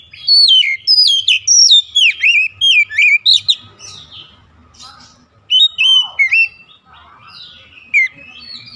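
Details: Oriental magpie-robin singing loud, rich phrases of rapidly varied whistles and sharp downslurred notes in bursts, pausing briefly and then resuming, with faint low background rumble.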